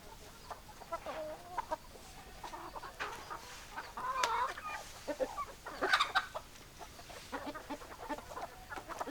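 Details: Chickens, hens and roosters, giving soft overlapping clucks and short nasal calls scattered through the recording, with a few louder squawking bursts in the middle amid steady background hiss.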